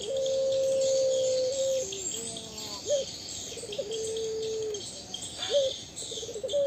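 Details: Barbary dove of the puter pelung type giving long, steady, mid-pitched coos held over a second, each ending in a short upward flick, with a constant high insect hum behind.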